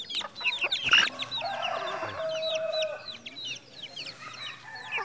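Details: Captive-bred red junglefowl in Mukomuko, Bengkulu, Indonesia, giving a dense run of short, high, downward-sweeping chirps, several birds calling at once, with a steadier lower note midway.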